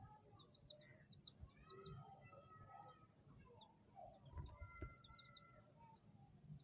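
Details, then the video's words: Several chicks peeping with rapid high down-slurred chirps, plus a few longer, steadier whistled notes, a couple of sharp clicks midway, and a constant low background hum. "chicks chirping sounds"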